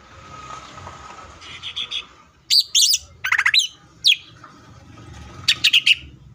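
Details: Greater green leafbird, locally cucak ijo, singing 'full tembakan': a soft buzzy phrase, then loud abrupt squeaky notes and short chattering bursts separated by pauses, over a faint steady hum.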